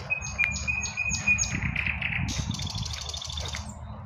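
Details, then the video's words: Birds singing in spring at midday: a sustained piping note with rapid high chirps above it, followed by a dense high trill, over low traffic noise from a highway. "BIRDS SINGING- REJOICING IN SPPRING"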